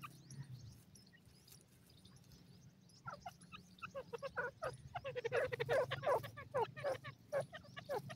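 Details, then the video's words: Pair of caged dakhni fighter partridges in an arrow cage: after a quiet start, a fast, building burst of short harmonic notes, dense and uneven, over a low background hum. "dakhni teetar jora ki awaz"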